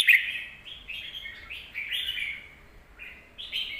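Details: Red-whiskered bulbul in captivity singing to teach young birds: a sharp opening note, then a string of smooth, slightly descending warbled phrases.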